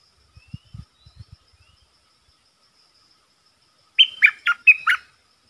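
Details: Red-whiskered bulbul decoy calling to lure a territorial wild bird: low knocking thuds early, a faint high whine, then a loud burst of four quick, bright warbled notes near the end.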